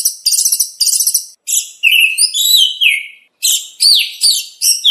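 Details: Kacer (oriental magpie-robin) rich training song for contests: high buzzy twitters, flowing whistled warbles and sliding notes, broken by short silent pauses.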